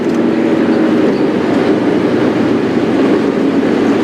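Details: Steady low droning rumble of a running vehicle engine on a morning safari drive, with no animal calls audible.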